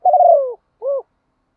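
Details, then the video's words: Spotted dove decoy bird calling in the morning, used to lure wild doves: one drawn-out, slightly falling cooing note followed after a short pause by a brief rounded coo, with nothing else audible. "Tiếng chim cu gáy mồi dùng kích bổi buổi sáng rất nhanh nổi, tiếng gáy gọi"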